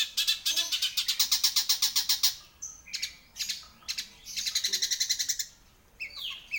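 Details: Long-tailed shrike in full song: fast chattering trains of grating pulses, broken by short whistled notes, then another rapid rattling run and a final scratchy phrase.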